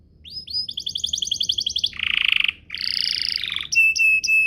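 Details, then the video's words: Canary song for coaxing other canaries into song: quick staccato trill, a harsh buzzy roll, a nasal rattling phrase and a few sharp whistled notes at the end. "Pancingan Burung Kenari agar CEPAT BUNYI, terbukti ampuh bikin burung kenari lain nyaut"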